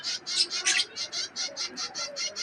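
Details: Bird chick in an aviary begging to be fed with a 'kiskis' sound: high, hissing bursts repeated steadily about five times a second, each short and breathy, with no other clear sounds.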